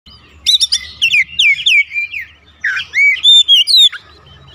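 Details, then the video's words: Oriental magpie-robin song kept as a home bird, played to provoke other birds into answering; loud varied whistled phrases with rising and falling slurs and quick sharp chirps, broken by a brief pause midway. "AUTO RESPON NGEPLONG GACOR KACER ANDA DIRUMAH"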